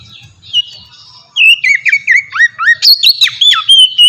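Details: Oriental magpie-robin singing ngeplong style as a lure for untrained magpie-robins; soft faint notes over a low hum, then from about one and a half seconds a loud rush of whistles, slurs and chips.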